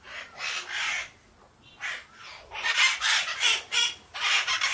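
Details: Calm parakeets chatter in harsh, scratchy bursts, several overlapping calls about three per second, bright and high-pitched with short pauses between.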